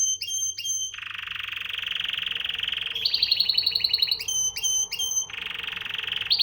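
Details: Canary singing indoors: long buzzy trilled tours around mid-high pitch alternating with sharp repeated whistled notes and a fast rattling series, loud and continuous.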